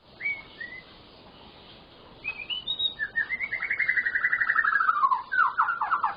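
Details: Gacor full-fill song of the white-rumped shama, aimed at getting silent shamas singing: a few clear whistles, then a long fast trill that slowly descends, ending in quick repeated chopped notes.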